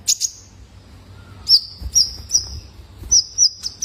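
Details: Juvenile male Brown-throated Sunbird trigger call for cage birds: a few sharp high notes, then drawn-out thin whistles, each opened by an accented chip, repeated at intervals of about half a second.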